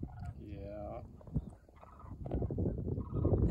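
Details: Sandhill cranes give a brief, rolling, rattling call near the start, then a person talks over low rumbling outdoor noise during cold weather at a rural solar-mount construction site.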